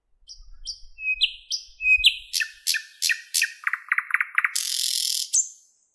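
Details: Thrush nightingale singing in a Moscow park on a May morning, 8:15: clear whistled notes repeated in short sets, then loud rapid clicking phrases and a sustained dry rattle near the end.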